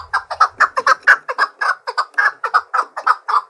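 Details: Fighting-trained Chukar partridge singing to challenge rivals: a clean sequence of loud clucking chuck notes, about four each second, with little background.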